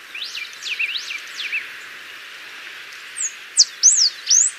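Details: Singing Ringed warbling finch, native to Bolivia, Argentina and Paraguay: a few faint, distant slurred notes, a quiet pause, then four loud, high whistled notes rising and dropping sharply.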